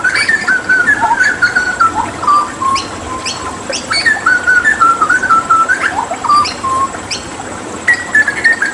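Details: Hooded butcherbird, a Papuan endemic and skilled mimic kept as a tutor bird, singing clear fluted whistled phrases that step down in pitch, in repeated bursts with soft clicking and a faint steady hum behind.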